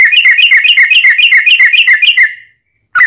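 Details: Sooty-headed bulbul, played as a lure so other bulbuls answer: a long rapid rattling trill of about fifteen bouncing notes, fading out, then one abrupt note at the end.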